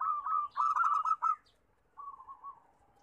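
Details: Local zebra doves singing as a lure for doves slow to call: a loud burst of quick, rolling cooing notes for over a second, a pause, then a softer, fading series of coos.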